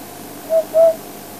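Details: An African hoopoe gives two soft, hollow hoots, the second slightly longer, low and evenly pitched over a quiet background; this call gives the bird its name; Djuma, South Africa, on a game drive.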